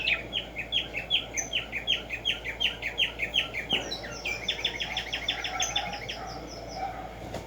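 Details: Black-striped sparrow (Arremonops conirostris), known as tumba yegua or tico tico, singing in nature: a long run of quick, evenly spaced chirped notes, about two to three per second, shifting into a faster higher series midway.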